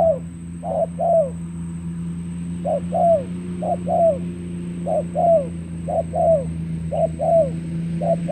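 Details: Spotted dove lure bird from Cà Mau, Vietnam, used for trapping, 21 February 2024. Gentle paired coos, short then drawn-out and falling, come in loose bursts against a noticeable low droning hum.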